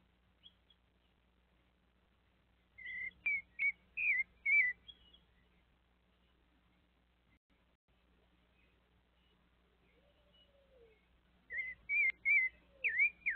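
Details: Thrush (sabiá) while a little monkey visits: scattered soft notes, then a run of five sharp whistled phrases, a long quiet stretch with one faint low slurred note, and a final burst of whistles.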